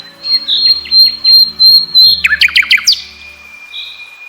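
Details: Nightingale song of high whistled notes repeated about every half second, then a burst of rapid sharp notes and a steady held tone.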